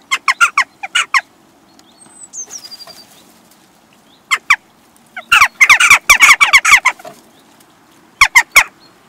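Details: Western jackdaws in a group at a bird feeder in Recke, Germany, on 22 April 2021: bursts of short, harsh, clipped calls in quick series, overlapping, with wing flaps and pauses between bursts.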